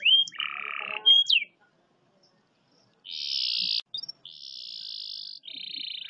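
Lovebird, giving a few shrill whistled sweeps and chattering notes, then three harsh, rasping, buzzy bursts each lasting about a second.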